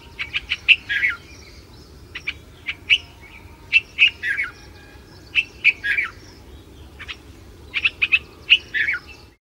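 Red-vented Bulbul giving bright, bubbly chirps in quick clusters of three to five notes, a burst roughly every second or two, over a faint low hum.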